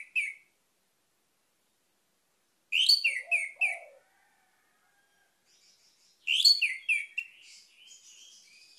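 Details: Orange-headed thrush phrases played to prompt a silent bird into song: short bright whistled figures with a few low notes, separated by long silences, the last phrase trailing into faint thin whistles.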